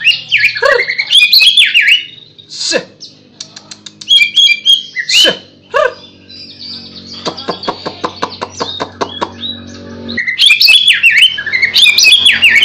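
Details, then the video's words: White-rumped shama song with bursts of varied whistles and slurred notes, separated by pauses filled with sharp clicks and a fast series of dry ticks, then a rich final flourish. "MURAI BATU PASTOL CALON JUARA"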